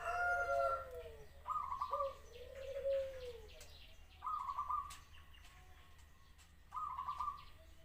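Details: ["Zebra dove repeating short rippling trilled coos roughly every two and a half seconds; another bird's clear, sliding whistles open the recording, over a steady low hum."]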